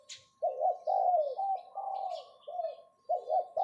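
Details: A decoy spotted dove in captivity coos its 'phao' luring call: a run of low, rounded, slightly falling notes, the longest held almost a second. Light high chirps sound in the background.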